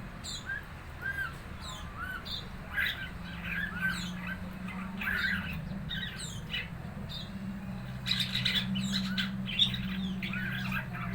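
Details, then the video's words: Red-eyed fig bird aged four months, still learning its chirping, producing bursts of squeaky, high chirps and short slurred notes in uneven clusters over a persistent low hum. "burung ara mata merah umur 4 bulan belajar ngeriwik"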